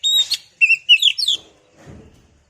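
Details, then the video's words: Lure song of an oriental magpie-robin, meant to fire up other birds so they sing: a clear whistled opening note, then a fast run of chirpy, slurred phrases, ending in quiet with faint low rumbling. "pancingan burung Kacer biar emosi mau bunyi"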